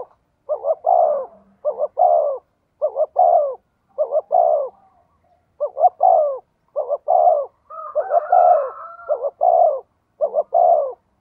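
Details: Decoy spotted dove cooing steadily: nine or ten short, low, soft phrases of two quick notes followed by a longer hooting coo, repeated about once a second, with a brief higher overlapping coo near the end.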